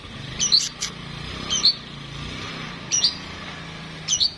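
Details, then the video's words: Oriental magpie-robin (kacer) raised in captivity repeating short high whistled double notes roughly every second and a half against a soft steady background hum. "tes mintal burung Kacer rumahan"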